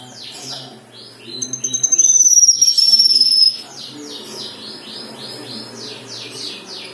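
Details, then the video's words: Black-winged myna in full, lively song: a long, high, thin whistle sliding gently downward, layered over rapid rhythmic bursts of sharp chirping notes, with softer chatter before and after. "BURUNG KINOI GACOR MATERI MEWAH | KINOI ISIAN"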